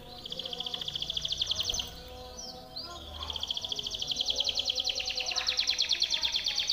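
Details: Timbrado canary singing a powerful training song meant for teaching other canaries; high rapid trills pulse steadily, break into a brief sweeping note near the middle, then resume louder and rolling to the end over faint background noise.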